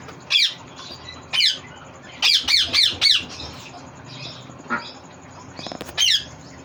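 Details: Green ringneck parrot kept as a pet indoors, giving harsh, loud squawks in bursts, a quick run of four near two seconds and single squawks spaced about a second apart, in a small room.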